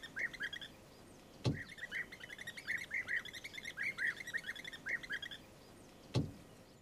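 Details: European bee-eaters in Kruger National Park give a steady run of rolling, liquid 'prruip' notes, several per second, mid-pitched and mellow, broken by two sharp knocks.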